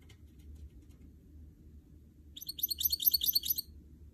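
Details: A brief, high, tinkling run of quick chirped notes from a caged canary-goldfinch mule, lasting just over a second against a steady low hum.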